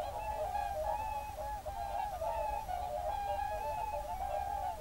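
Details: Evening concert of whooper swans alongside geese in a national park, early February 2023: an unbroken wall of trumpeting honks, many birds calling over one another at a constant level.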